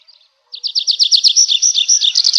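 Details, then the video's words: Nightingale delivering a dense, rapid phrase of repeated high, sharp notes that grows louder and shifts to slightly varied, jangling elements near the end. "ЗВУК СОЛОВ'Я | Який звук видає соловей"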